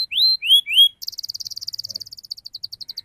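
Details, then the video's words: Canary song of the ngerol rolling type, meant to draw young canaries into song: three drawn-out rising whistles, then a very rapid, even trill of short pulsed notes. "Kenari Gacor Speed Rapat Cuit Cuit NGEROL Tajam"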